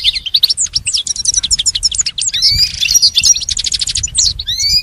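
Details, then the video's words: Goldfinch song for pet song training: quick series of sharp repeated chirps, tinkling runs and thin rising whistles, delivered almost without pause over faint low noise. "Teaching the goldfinch the art of song-advanced lessons in best chirps"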